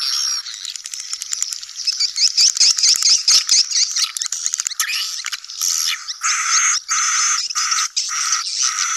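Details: Swiftlet colony chatter, sedot anakan lure sound for new buildings: fast clicking rattles and twittering early, then choppy buzzy bursts broken by short silences in the second half.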